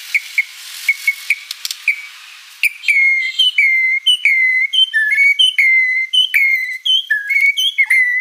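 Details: White-rumped shama, described as a vigorous singer with a full repertoire, starting with sparse clear whistles over a hiss, then a dense run of whistled notes and sharp clicks.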